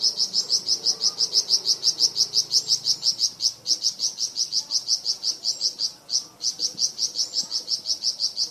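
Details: Steady run of rapid, high, clipped notes, roughly five per second, from a Flamboyan bird, with a few fainter slurred notes woven in, used as varied song for training cucak ijo and magpie robin.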